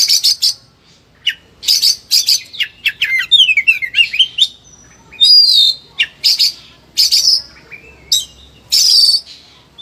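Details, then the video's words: Highly agitated kacer, the Oriental magpie-robin, singing a rich repertoire meant to coax reluctant birds; loud harsh rasping bursts repeat about every second, broken by a run of quick descending and zigzag whistled notes. "KACER EMOSI TINGGI BONGKAR SEGUDANG MATERI"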